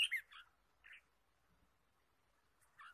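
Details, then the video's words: Red-whiskered bulbul in wild forest on a trapping day, 23 March 2017: a few harsh, squawky chirps in quick succession, then a long quiet pause before another rough chirp. "Red-whiskered bulbul Chirping"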